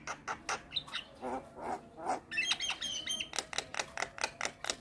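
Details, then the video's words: Black-winged starling with white head in energetic song while bobbing: a rapid series of dry clicks and rasping notes, roughly two per second, with a few brief whistles and nasal warbles between. "Jalak Kebo Maput Gacor Manggut - Manggut"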